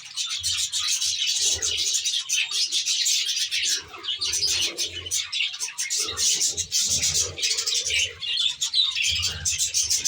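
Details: Budgerigars in an aviary, a flock giving dense, high chattering and warbling calls that run almost without pause, with short gaps near four and six seconds; low, soft cooing pulses sound beneath the chatter.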